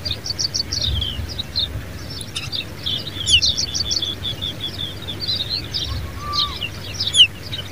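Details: Asian Pied Bushchat, a ground nester, at its nest; rapid bursts of high, thin chirps and short tweets recur throughout, with a brief low, level whistle near the end over a faint low rumble.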